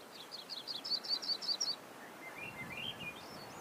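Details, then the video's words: A Russet-crowned Warbler gives a quick run of high, chippy notes, then a softer series of notes climbing in pitch, over light background hiss. "La Reinita Coronada"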